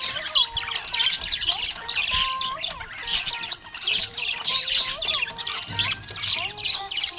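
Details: A happy budgerigar chatters and chirps in fast, scratchy bursts over a background of melodic music.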